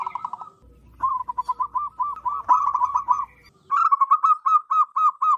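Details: Wild local zebra dove, loud and strong-voiced, used to lure wild zebra doves: repeated rapid series of soft bubbling coos in quick pulses, with short gaps between phrases and a faint low hum in the middle section.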